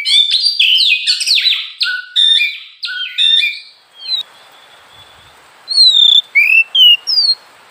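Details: Oriental magpie-robin (kacer), recorded at some time across morning, afternoon and night: a loud, tumbling medley of whistles and chirps. It gives way to soft background hiss, then several clear, separate whistled notes, some rising, some falling.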